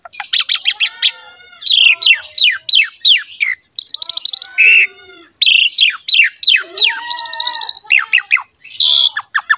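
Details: Javan pied myna singing a varied training song to draw other mynas into song: rapid chattering downslurred notes, harsh buzzy squawks and rattling bursts, loud and continuous with brief pauses.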